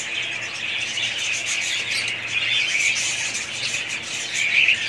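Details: Budgerigars kept as a family of pet parrots, giving continuous high, overlapping chirps and scratchy warbles from many birds at once, with a few clearer rising notes standing out near the end.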